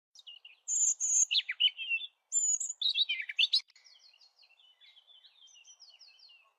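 A European robin sings two loud, high phrases of thin whistles and quick tumbling trills, then fades into softer rapid twittering; no other sounds intrude.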